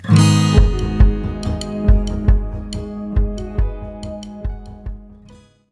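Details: Plucked acoustic guitar notes strummed in a steady rhythm, with no animal voice.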